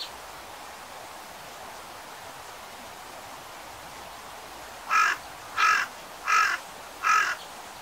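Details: A carrion crow in Japan in winter gives four harsh, rasping caws in a steady series, about every three-quarters of a second, over a quiet background hiss.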